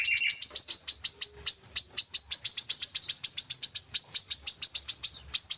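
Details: Brown-throated sunbird, used to prompt caged birds to sing, delivers a long, unbroken series of shrill, high chirps, fast and slightly uneven, with a brief lower double note at the start.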